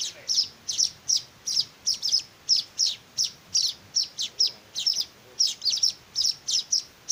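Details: Begging weaver chicks during hand-feeding, giving a steady stream of high, sharp tweets, single and doubled, roughly two to three per second, with faint low murmurs beneath.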